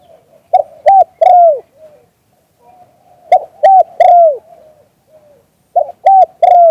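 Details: Live recording of a spotted dove cooing. Three-note phrases repeat about every two and a half seconds: two short hollow coos, then a longer drawn-out falling one. Faint soft notes and sharp clicks sound between phrases.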